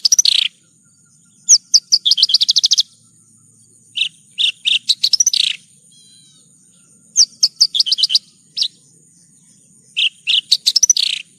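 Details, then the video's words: Lark song used as a training recording for pet birds: repeated fast bursts of sharp high chirps and rattling trills, several seconds long, separated by short silences, with a faint high thin note in one gap. "Masteran Burung Branjangan 1 Jam Non Stop"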